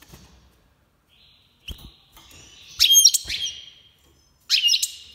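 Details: Iranian major goldfinch in 2022 breeding season: soft notes build into loud bursts of tinkling, buzzy twitters, with occasional clicks in between.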